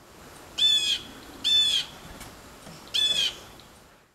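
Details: Blue Jay alarm call, which other birds such as robins can recognise as a warning, perhaps of a prowling cat or snake: three harsh, nasal jeer notes, each slightly downslurred, spaced about a second apart; nothing else stands out.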